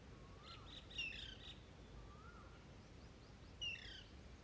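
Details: Female Alexandrine parakeet in the summer breeding season, hungry and demanding food from the male: two loud, harsh, downslurred squawks about two and a half seconds apart, with fainter slurred lower calls between them over a steady hiss.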